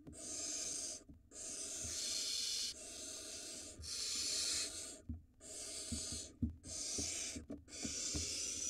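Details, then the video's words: Barn owls at a nest in Israel during a prey handover: the male gives the female a mouse for the nestling. Broad, breathy hisses recur through the clip, some cut short, with scattered low clicks and shuffling in the gaps. "Dad hands off a to Mom a mouse for the barn owl nestling"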